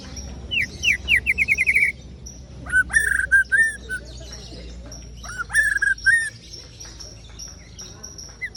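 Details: White-rumped shama of the ciung wanara type singing: a rapid series of sharp rising whistled notes, then bursts of clear whistled phrases and fluty slurs, separated by short pauses, over a faint steady hum.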